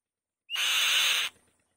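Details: One loud call from a female white-tailed kite on the nest: a short whistled onset swelling into a harsh, steady rasp lasting under a second.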